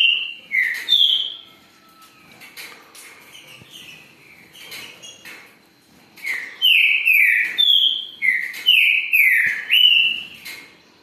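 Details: Green-winged saltator (trinca-ferro) singing loud, clear whistled phrases: a burst of slurred notes, a pause with soft background chirps, then a second run of about eight rich, descending whistles repeated roughly every half second.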